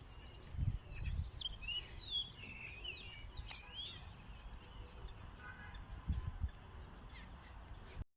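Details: Birds singing in the morning: faint, scattered whistled and chirping phrases from more than one bird, some slurred and rising, over a steady low outdoor rumble with occasional thumps.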